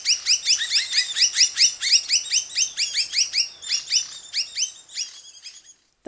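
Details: Spectacled monarch in the rainforest of Far North Queensland gives a fast run of high, bright, buzzy notes, about four a second, that slow and fade after a few seconds.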